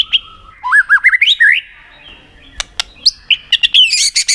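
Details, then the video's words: White-rumped shama singing a 'tạch' style song while flicking its tail, used to excite other shamas into contest singing: sharp high clicks, then looping whistled notes rising and falling, followed by rapid high chips. "Chòe lửa tạch đập đuôi kích thích lửa lên lửa rất nhanh kích chim hót đấu hiệu quả"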